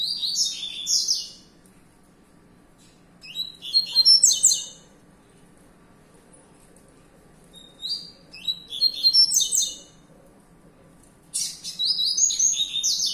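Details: Caged young male double-collared seedeater, a breeding and fibra-competition bird, delivers short bursts of fast, high, slurred and buzzy notes roughly every three to four seconds, with quiet gaps between phrases and a steady low hum behind.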